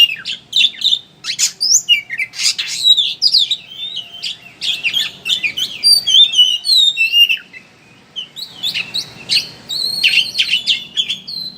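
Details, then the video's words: Oriental magpie-robin chattering ngeriwik, a lure to set birds singing with open beak: long energetic stream of scratchy chirps, trills and whistled slurs, a brief quiet gap near eight seconds, then more chatter. "Suara Burung Pancingan Kacer Ngeriwik Agar Ngeplong Buka Paruh"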